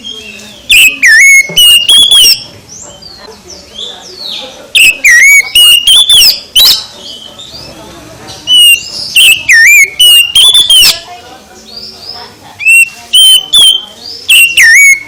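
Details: Morning song of an Oriental magpie-robin: clusters of loud, sweet whistled notes with sharp upslurs and downslurs, each burst lasting about two seconds and returning every few seconds, with quiet background murmur between phrases.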